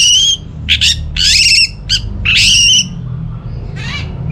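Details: Orange-headed thrush kept at home, song used as a lure to set silent birds singing: loud bursts of rich whistled and chattering phrases high in pitch, broken by short pauses, over a steady low hum.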